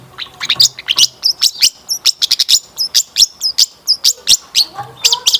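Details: Long-tailed shrike lure song, meant to set other shrikes singing. It is a fast run of high, piercing chips and whistled notes, richly varied, with a few faint lower warbles in the background.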